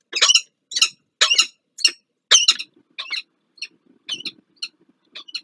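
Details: Peregrine falcons at their nest on the Palace of Culture and Science in Warsaw, Poland, during the morning nest changeover on 2 April 2023: a series of about ten harsh, grating calls, loud at first, then fading and spacing out.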